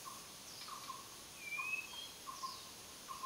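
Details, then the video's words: White-rumped shama singing a clear, rising whistle, alongside short, low, hollow notes repeated about every second and faint, thin, high-pitched downslurs. "白腰鵲鴝 🐦🎶"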